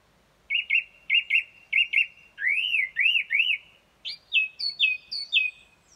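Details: Song thrush singing outside a bedroom at about 4:30 am, early morning: clear whistled phrases, each repeated several times, with five quick chirps, three arched rising notes, then four falling whistles.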